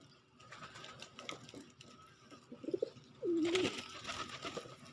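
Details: Pigeon in the February–March pox season for chicks, with a short hesitant note followed by one clear, low, throaty drawn-out coo that dips slightly and holds, then rustling and background clatter.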